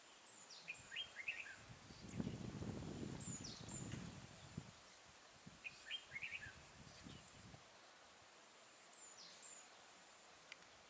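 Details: Red-whiskered bulbul facing a caged decoy during trapping in Vietnam, 12 April 2018, gives fainter chirpy warbled phrases at intervals, amid steady outdoor noise and a burst of low rustling.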